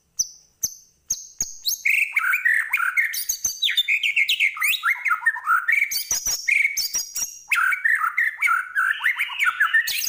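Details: White-rumped shama of the Medan type singing vigorously with a full set of imitated phrases: varied rich whistles and chattering, beginning with a few high clear notes then a dense stream of rising and falling phrases.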